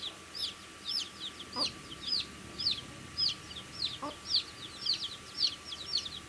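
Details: Young chicks feeding, chirping bright, high, arched peeps in a fairly steady run of about two per second, with two brief low thuds and a constant thin hum behind.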